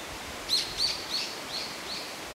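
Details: Sugiyama recording of a male grey wagtail, identified by its black throat: a quick series of five bright, high chirping notes within about two seconds, the first ones loudest and later ones fading, over soft hiss.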